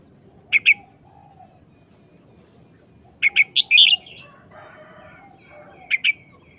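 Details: Red-whiskered bulbul gives short, fast wild-style phrases of crisp, ringing whistle notes, in pairs and longer runs. Faint murmuring chatter sounds in the background.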